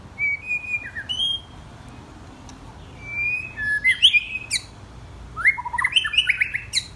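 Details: Young white-rumped shama, ten or twelve months old, singing: clear whistled phrases separated by pauses, then bursts of richer, more varied notes with sharp high clicks.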